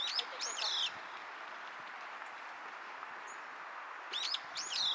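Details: Young brown-eared bulbul calling with its tongue showing, 10 May 2023 around 14:46: two bursts of harsh, screechy, high calls, each under a second and about three seconds apart, over a steady background hiss.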